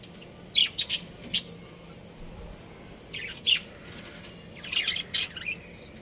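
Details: Chirping from a breeding pair of pet budgerigars: clusters of two or three sharp, high, scratchy chirps come in quick bursts, with short quiet gaps between groups over a low background hum.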